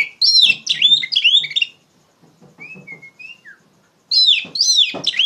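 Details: Oriental magpie-robin singing loudly as trigger song for tutoring young magpie-robins. Two bursts of rich, fast, swooping whistles frame a gap with a few soft level whistles and faint low rustling.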